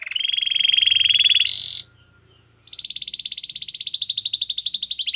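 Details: Canary song used to train other canaries: a long pulsed rolling trill, a short high burst, a second of silence, then a fast rhythmic trill that climbs slightly toward the end.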